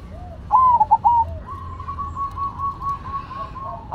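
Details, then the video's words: Zebra doves of the Cemani and Silver varieties. One fast, rolling coo phrase is followed by a long, soft, steady cooing tone. "Perkutut Cemani Gacor Vs Silver Gacor"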